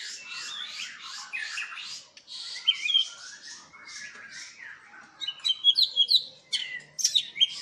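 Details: White-rumped shamas at a large captive breeding farm in Palembang, Indonesia. Dense, high chattering and rapid repeated trills, followed by sharp whistled phrases and scattered chirps from several birds.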